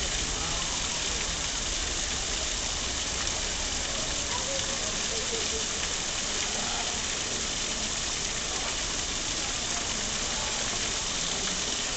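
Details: A steady broadband hiss like rushing water or rain fills the recording, and no animal calls are heard.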